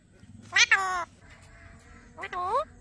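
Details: Alexandrine parakeet talking, repeating the word "Mithu": a nasal, harmonic two-part utterance, then a quiet pause and a second drawn-out phrase that rises at its end, over faint background hiss.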